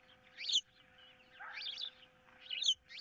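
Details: Osprey at a monitored nest, 15 April 2023, with a fish dispute and an intruder nearby; three loud, shrill, rising whistled chirps, the middle one longer and slurred, over a low hum.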